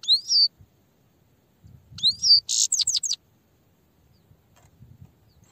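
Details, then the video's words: Grey-headed goldfinch singing an upswept whistled note, a pause, another whistle, then a loud burst of rapid harsh twittering notes before the song fades. "Пение щегла (седоголовый)"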